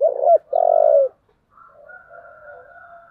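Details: A spotted dove with a 'giọng thổ' voice, stirred up to fight, opens with quick stuttered coos and a long low sustained coo, followed by a quiet, wavering hum of softer background sound.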